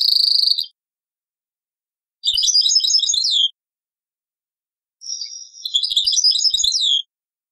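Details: European goldfinch in taqsraine style from an old cassette: three bursts of high, jangling twitters about two seconds long, separated by short silent gaps.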